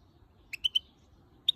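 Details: Female European goldfinch, angry at the camera, gives three short clear tonal notes in quick succession, then a pause and two more sharp notes.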